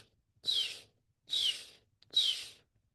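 Northern Cardinal song: three clear, high whistled notes, each sliding downward, 'cheer cheer cheer', about one per second, with a slight room echo.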